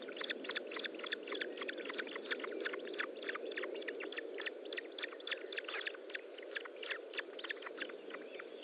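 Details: At an Osprey nest during feeding on 25 June 2012, late morning: a sustained stream of brief, piercing chirps, roughly three to four a second, continuing for the whole stretch with steady hiss underneath.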